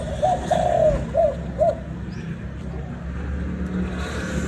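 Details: Spotted dove from Vietnam giving a short run of low, mellow coos early on, then quiet while vehicle noise hums underneath.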